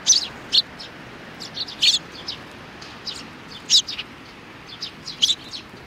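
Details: Sparrows including youngsters, 27 June 2019: loud, bright chirps come in short bunches roughly every one to two seconds, with softer tweets between them over a quiet background.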